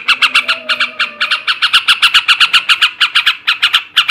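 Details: Male sooty-headed bulbul in continuous ngebrem ngekek chatter for stimulating breeding: a brisk, even, raspy pulse of nearly four notes a second with no real breaks.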